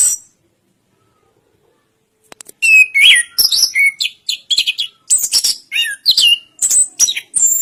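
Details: Orange-headed thrush (anis kembang) starting after about two and a half seconds of silence, then pouring out a fast jumble of high chips, slurred whistles and trills.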